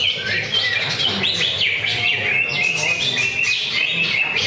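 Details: Greater green leafbird singing at a Friday practice songbird contest: a rapid run of bright whistled notes and quick rising and falling slurs, with chattering song from other birds and faint voices nearby.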